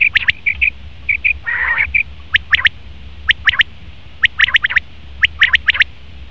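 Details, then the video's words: A male common quail gives sharp, liquid three-note phrases, 'wet-my-lips', repeated about once a second after a few softer clipped notes and a brief rasp. "Common Quail Male sound/Nar batir ki awaz"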